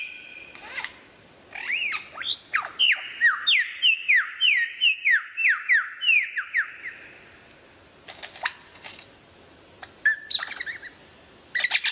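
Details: Lyrebird singing a varied sequence: scattered upward flicks, then a long series of quick downslurred whistles, followed by a sustained high whistle and a few clipped sharp notes.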